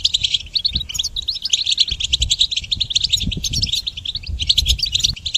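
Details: Goldfinch song used to train songbirds: dense, chattering high twitters and buzzy trills pour out continuously, with faint low knocks and rumble underneath.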